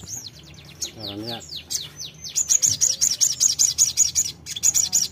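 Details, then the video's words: A sogon bulbul, in audio meant to build a fighting bird's confidence to answer, gives high, slurred falling whistles, then a rapid string of sharp, bright notes, about two or three each second. "sogon fighter pasti nyaut"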